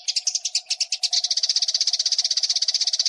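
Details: Eurasian tree sparrow fighting call prepared as training material for competition birds: scratchy chirps quickening into a tight, fast rattle of about four notes per second and more, over a low steady hum.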